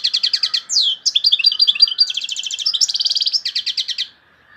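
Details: European goldfinch singing loudly: a continuous, fast twittering run of high buzzy trills, chirps and liquid notes, with a clipped rapid-rattle section near the end, stopping abruptly after about four seconds; background quiet.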